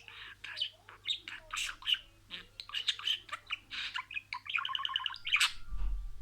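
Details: Talking budgerigar running through a string of words: scratchy, chattering bursts at a steady fast pace, then a buzzy pulsed phrase and a sharp squeak, ending with a low thump.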